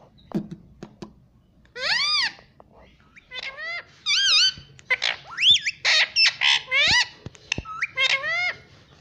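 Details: Pet rose-ringed parakeet, a green ringneck kept indoors and said to say "mummy", gives a run of loud, harmonic, squawky syllables that bend up and down, in bursts over nine seconds, with short clicks and a quiet room behind.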